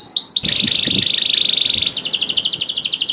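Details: Singing canary, kept as a cage bird, used as a lure song to prompt reluctant canaries to sing: high notes open, then a long steady rapid trill near one pitch, switching to a faster, higher pulsed trill.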